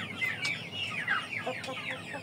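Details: Chickens heard as a dense stream of high, thin chirps, mostly falling in pitch, with a few sharp clicks and a soft background hum.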